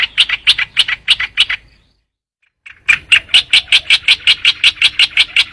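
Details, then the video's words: Lure sound of the trao trảo bird: rapid harsh chatter in two bursts separated by about a second of silence, the second burst longer and evenly spaced. "tiếng chim trao trảo"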